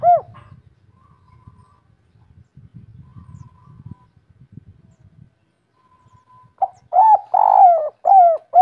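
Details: Spotted dove, local kuk 3 singer, heard after several seconds of faint low rustling and distant murmur, then bursting into loud, rounded coos, one long note and short falling hoots.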